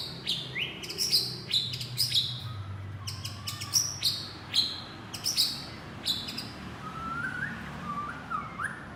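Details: Shama calling to its partner with a run of high, sharp, clicking notes at an irregular pace, followed by softer lower whistled slurs near the end, over background hum.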